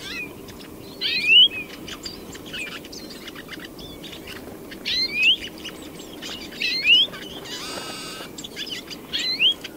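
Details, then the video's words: European greenfinch (Chloris chloris): a clear upslurred whistle repeated roughly every two seconds amid busy chirping from other birds, with a brief noisy burst near the end. "Canto do Verdilhão (Chloris chloris)"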